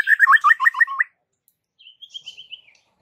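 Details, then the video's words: White-rumped shama, its voice claimed to get village shamas answering in lively song: a fast run of wavering looped whistles, a pause, then a thin high series of short notes. "Suara uniknya jadikan MURAI BATU sekampung NYAUT GACOR"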